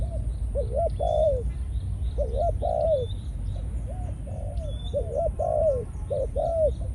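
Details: Spotted dove used as a caged decoy, Malaysian strain, conditioned into breeding mode. Repeated phrases of two quick coos followed by a longer falling coo recur several times. Thin high bird chirps and a low steady hum are also heard.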